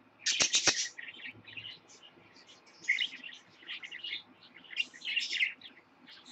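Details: Captive parakeets, including a lutino baby, chattering in quick, scratchy, warbling bursts of high chirps that come and go, with steady low hum beneath.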